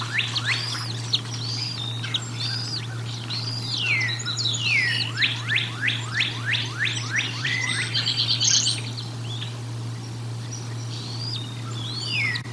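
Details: Bald eagles feeding at the Decorah North nest on 1 April 2022: bursts of quick, steeply falling chip notes in rapid series, a brief rattling trill, then long thin slurred whistles, over a low steady hum.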